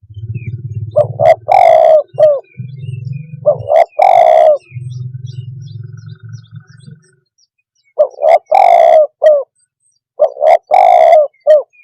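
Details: Spotted dove cooing to stir up other birds: repeated low burry phrases of short coos and a drawn-out coo, with a steady low droning hum beneath the first half.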